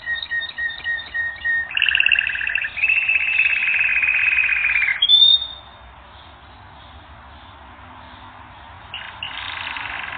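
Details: Training recording of a singing canary: quick twittering notes give way to long rattling rolls, a sharp rising whistle, then several seconds of quiet before soft trilling resumes.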